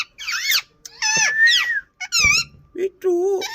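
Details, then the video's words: Indian ring-necked parakeet producing loud, rasping squawks with wavering pitch, several separate bursts, the last lower and more nasal. "Nachral saound parrot indian Ring"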